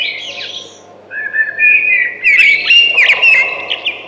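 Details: A thrush sings: a quiet note, a pause, then a strong string of ringing whistles and rapid chattering notes.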